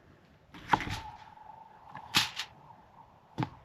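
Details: Indoors in a quiet room, three sharp knocks or clatters sound about a second apart over a faint steady hum.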